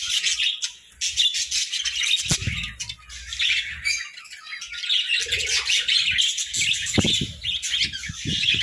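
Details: Playful caged budgerigars sharing a cozy hut produce nonstop bright, scratchy chirping and warbling chatter, many voices overlapping, with brief dips in loudness and occasional soft bumps and rustles beneath.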